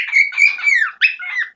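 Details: Male pet parrot, loud at home since one morning when he began claiming territory. He gives a continuous stream of shrill, wavering, whistly squawks with a brief break, then another sharp burst, close and loud in a small room.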